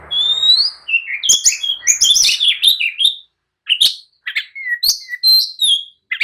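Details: Excited oriental magpie-robin in full song, intended to provoke others to answer and fight; a loud rising whistle opens a jumble of harsh chatter and bright slurred notes, then spaced single whistles after a brief gap.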